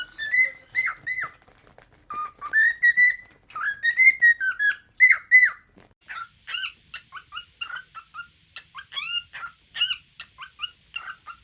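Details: Pet cockatiels giving bright, sharply inflected whistled chirps, first in loud clustered bursts, then a quicker run of shorter, softer chattering notes.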